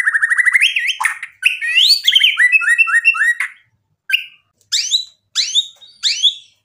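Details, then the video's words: A gacor white-rumped shama sings to provoke a rival into answering: quick stuttering trill, rising and falling whistled phrases, then four short, sharp separated notes. "MURAI BATU GACOR bikin EMOSI lawan jadi NYAUT"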